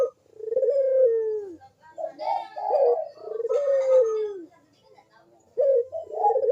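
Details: Energetic cooing of a Barbary dove, meant to lure silent doves into calling: long low coos gliding downward, separated by shorter rolling notes, with another phrase starting near the end.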